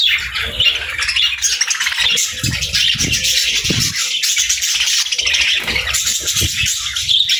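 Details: Happy budgerigars keep up an unbroken, overlapping chatter of buzzy warbles and shrill chirps, with occasional low knocks beneath.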